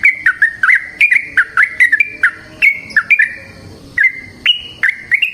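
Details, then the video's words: Yellow-vented bulbul singing a long song meant as a lure for training other birds: quick series of bright whistled notes with sharp attacks, alternating slightly higher and lower pitches, nearly nonstop. "Trucukan GACOR ngalas ROPEL PANJANG suara alam AMPUH buat pancingan"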